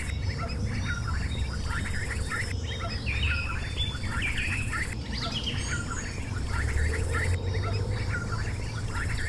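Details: Mallard ducklings about six hours old, hatched overnight in a nest in a backyard banana bush, peep in a dense chorus of short, high, thin cheeps overlapping without pause, over a steady low background rumble.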